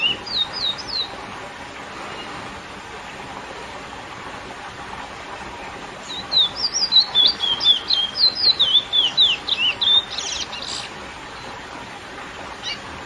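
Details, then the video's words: Lesser seed finch (curió) with its classic song to excite females: a brief whistled burst at the start, long quiet, then from six seconds a rapid chattering run of whistled slurs ending in harsher notes. "CURIÓ CANTO CLASSÍCO FOGUEAR FÊMEAS"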